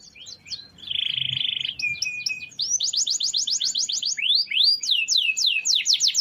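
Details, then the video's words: Canary long roll for training other birds: a buzzy sustained note, a flat whistle, a rapid rolling trill of repeated notes, then swooping slurred whistles. "Suara Kenari Gacor Ngerol Panjang – Cocok Buat Masteran Harian!"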